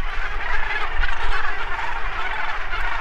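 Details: At sunset over the Atlantic, a rocky island colony of about 50,000 Cape gannets (some 23,000–24,000 nesting pairs) makes a dense, unbroken din of harsh, grating cries, many birds calling over one another, with a low rumble of wind underneath.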